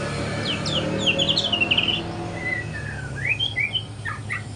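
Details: Young spotted white-rumped shama learning to sing in the morning: quick high notes, then a fast stuttering trill, followed by long slurred whistles rising and falling, over low background noise.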